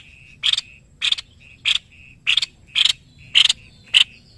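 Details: A prized Indonesian master-song bird, the white-bibbed babbler, repeats loud cracking chip notes roughly every half second, seven in all, with brief flat whistles tucked between them.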